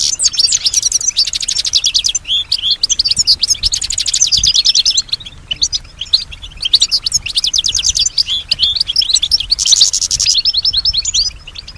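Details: Kept European goldfinch, a female that mimics nearby sounds, gives a long, high, fast-chattering song of liquid twitters, dense buzzy trills and short sharp notes in bursts of one to two seconds.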